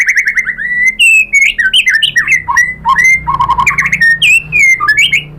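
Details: Lure song of a white-rumped shama to trigger singing in other birds: continuous rich whistled phrases, quick chattering notes and slurred rising and falling whistles with almost no pauses, over a faint low hum.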